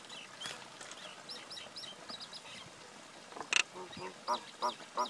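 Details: Common myna male and female exchanging varied calls: light chirps and short whistles, a loud sharp squawk, then three gurgling, croaking notes in a row.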